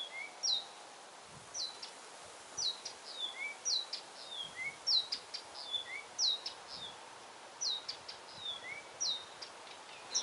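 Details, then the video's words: Singing Blyth's reed warbler repeating a pattern of high downslurred whistles and lower upslurred notes, each pair about every second, interspersed with dry clicks, against a quiet natural background. "Песня Садовой Камышовки. Голос Камышовки"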